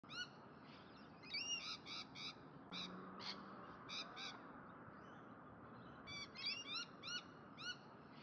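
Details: A Mountain Lorikeet pair gives bursts of shrill, screechy notes, several quick calls in a row, two or three times a second, over a steady background hiss.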